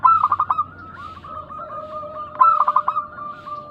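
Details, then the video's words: Local zebra doves in Indonesia calling in a lure to prompt answering doves. Two bursts of rapid, throbbing coos, one at the start and one near the end, with steady high and low tones between. "Pancingan burung perkutut lokal gacor suara mengundang bunyi langsung nyaut"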